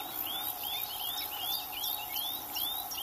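A melodious warbler pours out a fast, run-on chatter of high, sliding chirps and twittering notes, about two or three a second, over a steady background hiss and low hum.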